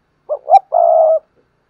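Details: Decoy spotted dove cooing to stir other doves into calling: two short soft rising notes, then a long steady low coo of about half a second, in a quiet background.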